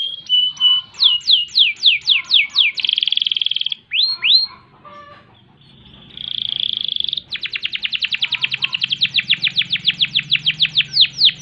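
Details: Gacor canary song with ngerol rolls, used as master training song: a series of sweeping downward whistled notes, a buzzy trill, then a long fast rolling series of sharp repeated notes, faint low hum beneath.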